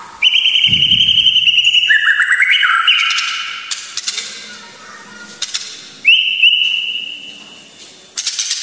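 White-rumped shama giving long, clear whistled notes, some held and gliding, others sliding between pitches, in loud bursts with brief pauses; a low thump early on.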